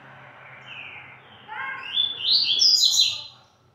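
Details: A caged double-collared seedeater, pedrada song style, at 17:15 in the afternoon; a soft whistle, then a rising run of sharp high whistled notes ending in a loud trill.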